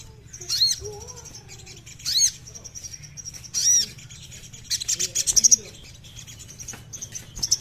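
Mountain Serin giving high, thin chirps in short bursts about every one and a half seconds. It ends in a quick run of sharp, twittering notes.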